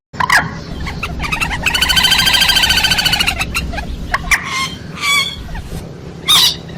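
A hen gives a long, rattling, nasal cackle lasting about two seconds, then several short, clipped clucks at irregular intervals.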